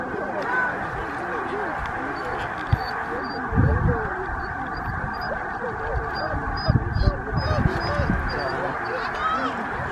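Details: Massed snow geese on 26 February 2023 at Middle Creek Wildlife Management Area, Stevens, Pennsylvania, USA. A steady wall of overlapping high honks and yelping, punctuated by a few sharper, louder calls.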